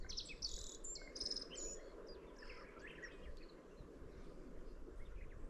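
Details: Middendorff's grasshopper warbler singing a rapid, buzzy chattering phrase in the first second and a half, then fainter chirps, over a constant low hum of background noise.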